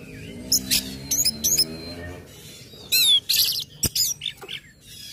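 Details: Orange-headed thrush singing in 'ngecip ngecit ngeplong' style, meant to spur other birds to sing, with scattered sharp high chips and short buzzy bursts over a low humming tone that fades after two seconds.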